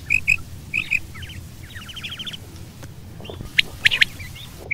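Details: Quail, female and male, calling in a mix: a few bright, high paired notes, then a quick run of rising buzzy chirps, followed by sharper clipped notes near the end, against low rumbling noise.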